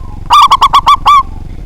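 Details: One loud phrase of a local zebra dove, meant to provoke rivals to sing: six rolling coo notes in a fast series, the final note stretched out and slightly falling.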